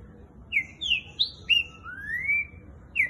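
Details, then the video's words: Fast boiadeiro-style song of a caged green-winged saltator: four loud clear whistled notes in quick succession followed by a long smoothly rising whistle, then another note beginning, with faint background hum. "TRINCA FERRO BOIADEIRO MAIS RÁPIDO DO BRASIL!"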